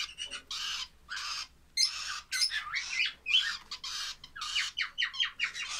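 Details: Young lovebirds keep up dense, raspy, buzzing calls in irregular bursts with brief gaps, harsh and broadband, sometimes overlapping into a continuous scratchy chatter.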